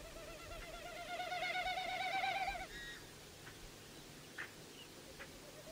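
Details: Wilson's Snipe winnowing: air rushing over modified outer tail feathers in display flight, not song. A rapid, pulsing, hollow hoo-hoo-hoo swells then fades over about three seconds as the bird moves, followed by a few faint clicks.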